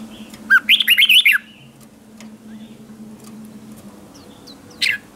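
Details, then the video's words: Red-whiskered bulbul singing as a decoy to call other bulbuls. A single quick phrase of looping whistled notes, then near silence with a low hum and one brief chirp near the end. "Tiếng chào mào mồi gọi là đến, Chào mào mồi gọi bổi không tạp âm"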